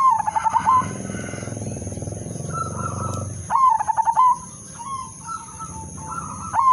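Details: Zebra dove giving a melodious lure song to set other doves singing. Rolling, pulsed coos open and recur midway, with fainter higher coos between. A low, dense rumble fills the first three seconds, under a constant thin high-pitched tone.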